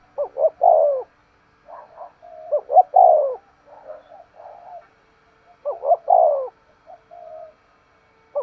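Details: Decoy spotted dove, sharp 'thúc gù' urging coo: brisk double notes leading into a descending coo, phrases repeated every few seconds with faint soft calls in between.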